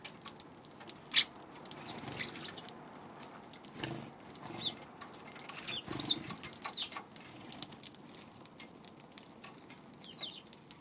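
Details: Eurasian tree sparrows on 2 March: a few short, high chirps scattered through the recording, with the loudest just after one second and near six seconds, among soft clicks and rustling background noise.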